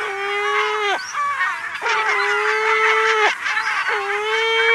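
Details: Lesser black-backed gulls giving mew calls in a colony on Walney Island, Cumbria, U.K., recorded close up: long, drawn-out, steady mewing notes, several overlapping, with short breaks between calls.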